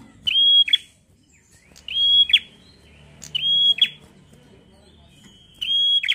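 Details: Long-drawn fighter-style song of a bar-winged prinia, played to spur other prinias to sing. Four loud, high, steady whistles, each ending in a sharp downward flick, arrive at uneven intervals with near silence between.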